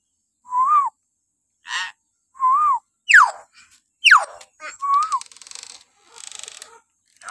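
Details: Morning calling of a common hill myna, used for training captive mynas: clear arched whistles, steeply falling shrieks, and rasping bursts in quick, varied succession.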